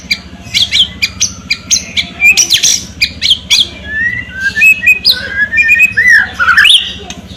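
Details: White-rumped shama in full song, mixing rapid harsh chattering and rasping notes with clear whistled phrases that slide up and down, ending in a loud squeaky flourish.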